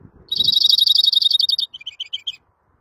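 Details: A greenfinch gives a long, fast rolling trill that slows into several separate chirping notes, then falls silent.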